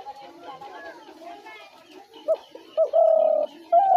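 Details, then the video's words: Spotted dove trap-lure call: background chatter and voices at first, then short clipped notes leading into a long, level coo and the start of another sustained note. "ঘুঘু পাখির ডাক/Dove bird calls/gugu pakir dak/ dove trap sounds"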